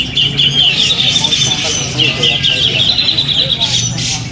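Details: Competition black-crested bulbul (cucak jenggot) performing at a Sunday contest in September 2020, winning sessions A and B; continuous high, rapid, trilling chatter over background voices and engine noise.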